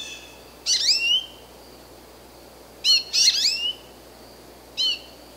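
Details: American goldfinch giving bright, high-pitched twittering calls: a rapid cluster of sliding chirps, a longer burst of tumbling notes, then a single short upslurred note, over faint even hiss.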